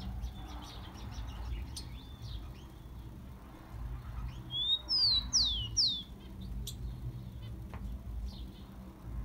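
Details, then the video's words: Tico-tico song meant to excite captive rufous-collared sparrows: after scattered faint ticks, a single phrase sounds midway, one thin whistle then three loud, high notes sweeping downward. "CANTO DO TICO TICO MELHOR ESQUENTA DE TICO TICO PRA FOGUEAR ESQUENTAR SEU TICO TICO"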